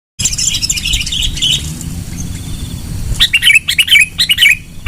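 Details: Sooty-headed bulbul singing loudly, a recording meant as a bird lure: after three seconds of low rumbling background, a burst of quick, bubbly whistled notes rises and falls in short phrases.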